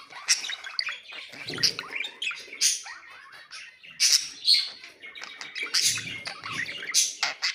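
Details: Budgerigar warbling from ornamental pet birds: quick bursts of high chirps, clicks and rasping squeaks, rising and falling in loudness every second or so, with no other sounds present.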